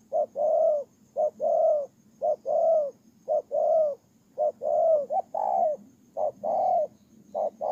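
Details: Ground decoy spotted dove, Tumorong, Kon Tum, Vietnam, 23 September 2018, cooing continuously in paired notes, a short hoot and a longer sliding-down note, around one phrase per second for several seconds.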